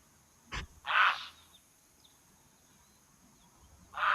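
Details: At an African waterhole on 18 November 2024, a grey heron gives two loud, harsh, croaking squawks about three seconds apart after a sharp click. These are possibly alarm calls warning of a martial eagle perched nearby.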